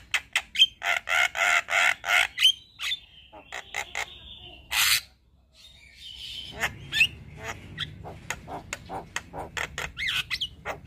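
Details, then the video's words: A white-eyed Javan myna sings frequently with full fill phrases while nodding. It gives rapid harsh repeated notes and a few whistles, a short pause, then softer scratchy chatter and high whistled slurs over a low background hum. "Kicauan Jalak kebo Mata Putih Gacor Full Isian Manggut2"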